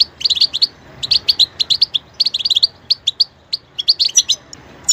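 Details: A goldfinch sings bursts of rapid, high twittering notes with a few sharper ticks, phrases separated by short silences, clean and clear.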